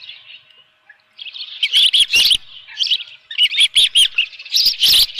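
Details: Osprey at its nest with a live fish, morning of 24 June 2018 at 7:32 AM: a faint thin whine, then bursts of sharp, high whistled chirps. Loud broadband clicks and thumps come from the nest.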